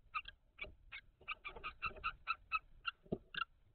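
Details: Common kestrel pair at the nest box, 17 May 2023, food being passed at the nest: rapid run of short, sharp, evenly spaced notes, about three or four each second, over soft shuffling and bumps.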